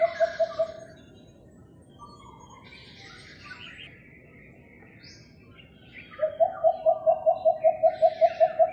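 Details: Philippine coucal in a neighbourhood, recorded May 3, 2022: a brief burst of low hoots opens, then other small birds chirp and twitter before a long, even series of deep repeated hoots returns near the end.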